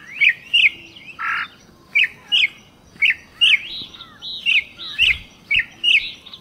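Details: Campo troupial song from the caatinga of Brazil: bright whistled phrases in quick pairs and runs, with one harsher buzzy note early on, a melodious series repeated across the recording.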